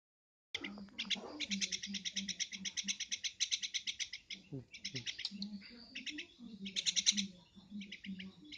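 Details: Javan myna giving rapid bursts of harsh, rattling, buzzy chatter, each burst a quick string of scratchy notes, repeated almost without pause over several seconds, with a low voice-like murmur underneath throughout.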